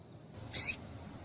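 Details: Single brief, piercing high note from a female double-collared seedeater, a call meant to stimulate males into singing, standing alone against faint hiss.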